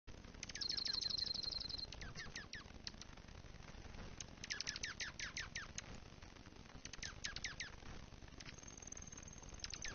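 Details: Dark-eyed juncos calling to each other while feeding on a platform feeder during the first big snow of the season in Kalamazoo, Michigan, USA, November 2019: a high trill, then bursts of quick sharp descending chips, with steady background noise.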